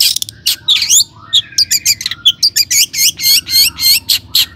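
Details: Long-tailed shrike song packed with imitated phrases (isian), played as a lure for other shrikes. A dense, varied stream of chattering, slurred and squeaky notes runs with barely a pause, some downslurred, some harsh.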